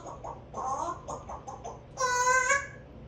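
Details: Captive talking African grey parrot indoors during word practice in late September 2024, producing a run of short, voice-like mimicked syllables, then a louder harmonic, nasal vocal sound near the end in a quiet small room.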